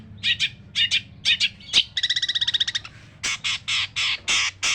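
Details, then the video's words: Long-tailed shrike giving harsh song: rasping squawks, then a fast dry rattle, then longer grating bursts repeated roughly twice a second, over a low background hum. "burung cendet gacor full masteran kasar kasar"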